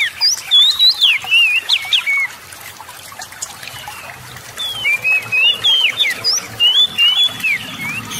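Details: Magpie-robin singing energetically as a lure for other kacer: a burst of varied, looping whistles, a quieter pause of about two seconds, then another chattering series of rising and falling whistled notes.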